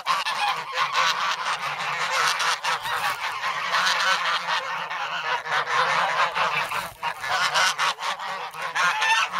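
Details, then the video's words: Noisy, hungry young geese grown from goslings, in snow at Sloterpark, Amsterdam, on 3 February, begging for bread and pecking; recorded on a Sanyo SH1. A dense, continuous wall of overlapping honks and cackles runs throughout without a break. "Geese in the Snow"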